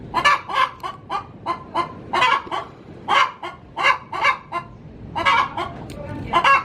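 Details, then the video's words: Domestic hen cackling in its pen just before laying, a sound used to lure male junglefowl; continuous run of harsh, scratchy clucks, some doubled, punctuated by louder drawn squawks, steady throughout. "Suara asli ayam betina cocok untuk digunakan memanggil ayam hutan"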